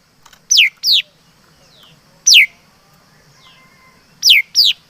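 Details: Five loud, clear whistles from chim mi đất (laughingthrush), each dropping steeply in pitch, delivered as a pair, a single note, then another pair. Soft sliding notes are faintly audible in between.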